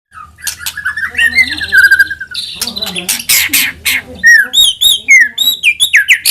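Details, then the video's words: White-rumped shama song used as a lure to provoke other shamas into full song: a rapid mix of slurred whistles, harsh rattling bursts and bright high chirps, ending in a run of quick rising notes. "AUTO NYAUT MURAIBATU APAPUN AKAN TERPANCING UNTUK BUNYI GACOR JIKA MENDENGARKAN SUARA PANCINGAN INI"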